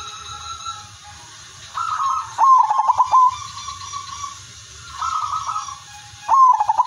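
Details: Zebra dove of the silver line singing in captivity as a lure for other doves; soft opening coo, then a loud stuttering burst of pulses and a sustained note, phrase repeated once more.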